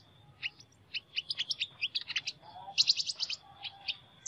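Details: Sunbird singing an unusual song: rapid, high, sharp chirps strung into twittering phrases, one louder burst midway, with a few lower short whistles and a constant thin high hum behind.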